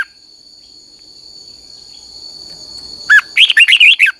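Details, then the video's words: Red-whiskered bulbul singing as a lure recording for training other birds' song: after a long stretch of steady high whine, a quick burst of warbled, bubbling notes jumping up and down in pitch closes the passage. "luyện giọng cho chào mào hót hay"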